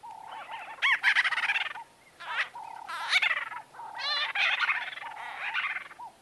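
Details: Several white-fronted bee-eaters chattering close up: rapid series of stacked, buzzy rising notes in pulsing bursts, alternating with softer curved mid-pitched calls and a brief quiet spell.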